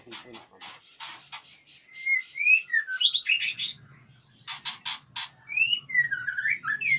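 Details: White-rumped shama kept at a Palembang breeding farm: rapid harsh rattling notes, then slurred whistles and warbled twists, another harsh burst, and more looping whistles over a low steady mechanical hum.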